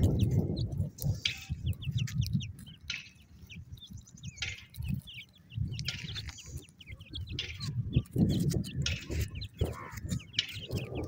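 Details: Partridge (teetar) chicks calling their mother: short high chirps and thin rising peeps repeated rapidly and irregularly, over heavy low rumbling and handling noise.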